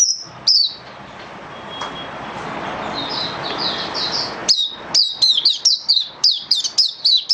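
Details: Oriental white-eye kept as a cage bird during a song-booster trial: high whistled notes, a soft twittering stretch, then a fast burst of sharp descending chirps several per second, over a steady low background noise.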